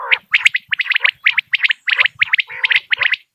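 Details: Common quail call, a well-known hunting call from Dera Ghazi Khan: short high strokes in groups of two or three, repeated in quick succession with brief gaps, with some lower, rougher chatter mixed in.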